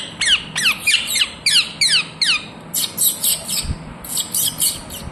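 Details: Ringneck parrot, kept as a talking pet, giving its natural calls: a fast run of harsh, downward-sliding squawks about three per second, then louder, rougher screeching bursts close together; no other clear sounds.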